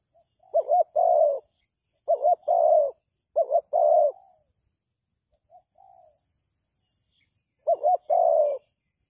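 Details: Spotted dove decoy for trapping, giving three quick phrases of a doubled note and longer coo, a pause with a couple of soft faint notes, then one more full phrase.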